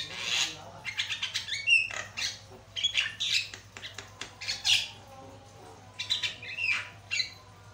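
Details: Javan myna in full, loud song with varied notes, used to prompt other birds to sing: dense bursts of raspy squawks, dry clicks and sharp whistles follow one another quickly, with short pauses between phrases and a low hum underneath.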